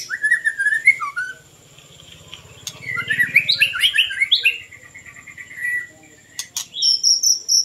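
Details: White-rumped shama song for luring birds: slurred whistles, a dense tumbling burst of varied chirps over a low hum, then a sustained trill and repeated high notes.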